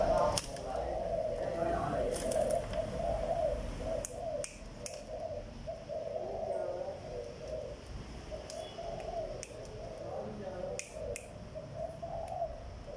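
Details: A Malaysian-strain spotted dove gives low, throaty cooing that runs in soft, rolling phrases with little pause.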